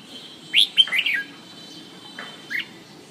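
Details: A red-whiskered bulbul delivers a short burst of bright whistles and a falling slurred note, followed after a pause by two softer chirps.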